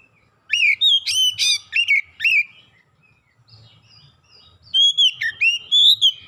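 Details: Oriental magpie-robin song played as a lure to prompt other birds to sing: an energetic burst of rich warbled whistles and quick slurs, a quiet pause, then a second run of long clear whistles.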